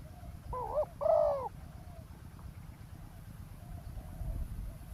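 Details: Spotted dove calling during ground decoy trapping beside a road, luring a wild dove. Two loud, hollow cooing notes close together, the second fuller and longer, then faint distant coos over a steady low rumble of background noise.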